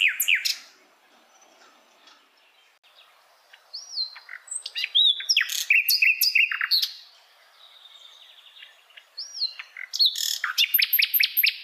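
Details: Wild Hill blue flycatcher singing in bursts of sharp, high, rapid notes. Short rising and falling whistles are mixed in, with brief quiet gaps between the phrases.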